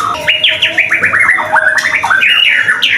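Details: White-rumped shama used as a lure to prompt other shamas to sing, linked to Kemayoran. Loud, rich song of rapid whistled phrases, many sharply rising and falling slurs and clear notes repeated in quick succession, with a faint steady tone in the background.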